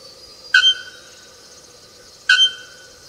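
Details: Bare-throated bellbird (Procnias nudicollis) giving two explosive, ringing metallic clanks, like a hammer striking an anvil, about two seconds apart over a steady high background hum.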